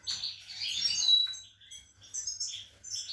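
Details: Captive European goldfinch, with a female sitting on new eggs, recorded 28 March 2020: a brief burst of sweet twittering with one clear rising whistle, then softer scattered chirps.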